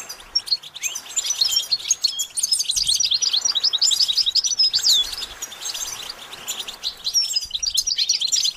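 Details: Goldfinch singing: dense, rapid twittering with bright, high, sliding whistles and buzzy notes, delivered as a continuous stream with short dips in loudness.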